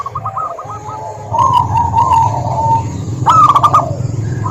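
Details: Local zebra doves in a group lure recording: short trilled coo series, a sustained wavering coo phrase, then a loud stuttering burst of sharp coo notes, with a low steady hum throughout.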